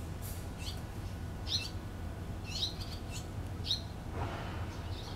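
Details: Barn swallow parents busy at their nest, 6 June 2013; short high chirps repeat about once per second, a brief rustle follows, all over a low droning background.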